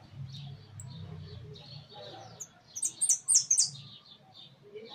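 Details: Hooded siskin kept in a large cage, singing: after a quiet low hum, a quick run of four or five sharp, very high metallic notes bursts out around the three-second mark, with soft twittering before and after.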